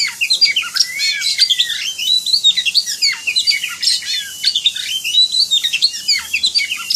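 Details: Oriental magpie-robin delivering high emulsion as a training recording: a steady torrent of shrill, varied chirps, squeaks and slurred whistles with no pauses.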